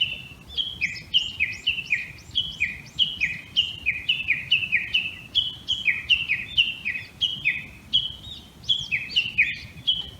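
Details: Japanese bush warbler, a bird returning every year, calling in a bamboo grove in Tokyo's Tama area in the early morning of 26 May 2019, recorded from a house's second floor; a long rapid run of sharp paired notes, each dropping in pitch, repeated about three times a second.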